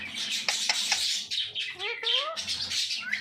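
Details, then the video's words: Talking parrot: harsh, hissy squawks give way midway to a few voice-like phrases with stacked rising tones, then more raspy chatter and a short upward squeal at the end. "Parrot Talk Everything"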